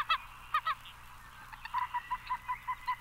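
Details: Common Gallinule giving a few loud nasal clucks, then a steady series of short, clipped notes, about five per second, repeated evenly.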